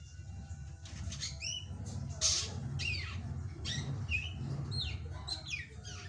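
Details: A young drongo sings energetically, tipped as a future contest winner: repeated high whistles that slide steeply downward, each a short slurred note, spaced irregularly over a steady low rumbling background noise.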